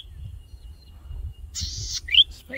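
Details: Male golden-headed cisticola in breeding plumage calling for a mate from a grass stalk; after a quiet start, one buzzy rasp then a sharp rising whistled note, over low rumbling background noise.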